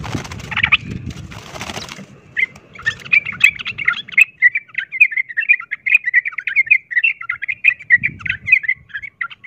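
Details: Sooty-headed bulbul in 'ropel tarung' fighting song, a lure to provoke rival bulbuls: after brief noisy bursts, a long, continuous stream of rapid bubbling notes.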